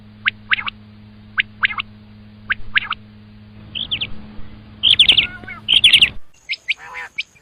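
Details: Common quail giving quick bursts of sharp, high-pitched notes. Earlier, thin isolated chirps sound over a constant low hum. Toward the end the hum cuts out and harsher layered calls follow.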